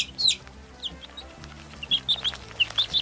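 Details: Domestic chicks giving scattered high, downward-slurred peeps, sparse and irregular, with quiet background music underneath.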